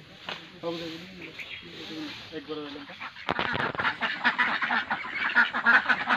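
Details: Duck giving nasal, harmonic quacks in short runs during the first three seconds, followed by loud broadband rustling noise and background voices.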